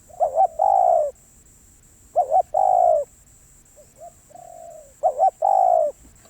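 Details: Spotted dove coos three times at regular intervals, each a brief double note then a sustained mellow coo. A faint softer coo is heard between the second and third phrases.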